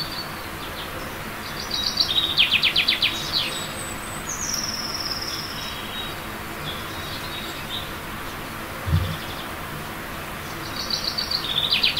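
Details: In early April, a Eurasian blue tit readying a tree-hollow nest calls loudly from a branch to claim its territory: high thin notes and rapid trills in several bursts, with a faint low thump and constant background noise.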